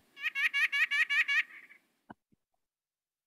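White-breasted Nuthatch giving a quick run of about seven nasal, harmonic-rich notes, evenly spaced like a laughing "wha-wha-wha", followed by a couple of faint clicks.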